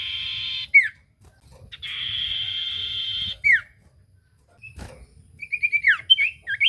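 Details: Lure song of the common iora for a quiet bird: two long, even whistles that each drop sharply at the end, a faint click, then a quick string of twittering whistled notes.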